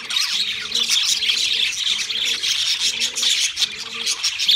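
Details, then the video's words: Pet budgies keep up continuous high squeaky warbling while a low soft cooing repeats about once a second in the background. "Singing Sounds My Budgies Birds"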